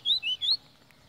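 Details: White-throated seedeater singing three quick clear whistled notes, each sliding upward, then falling silent in a quiet room.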